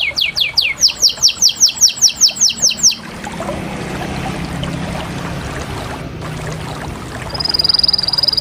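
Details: Canary song: a quick series of falling whistled notes for about three seconds, followed by quiet background hiss and a late steady high whistled tone.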